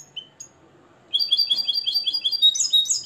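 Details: Nest-raised, captive European goldfinch from Morocco, tutored in the limpio song style after the Tarkiba Dahabia 2020 composition. Two faint high whistles, then from about one second in a fast, bright twittering trill of paired high notes running steadily to the end.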